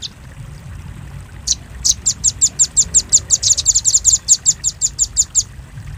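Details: Velvet-fronted nuthatch calling on a bird-luring track: a single opening chip, a pause, then a quickening series of shrill, clipped chips that packs tightly mid-sequence before ending abruptly.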